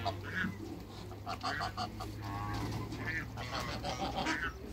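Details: African geese, three of them, on a waterbird farm as they meet new geese. Several nasal honks at irregular intervals over a constant low machine-like drone, with faint voices or farm noise mixed in.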